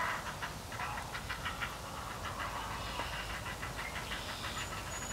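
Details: Three young herons in the nest, nearly fledged, call for their next meal from a parent; rapid, uneven ticking chatter of brief notes continues throughout with faint high whistles near the end.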